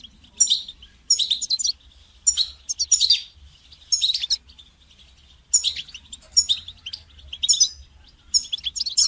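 A goldfinch sings in quick, high, tinkling twitters, bursts of about half a second to a second with short pauses, and a faint low hum beneath.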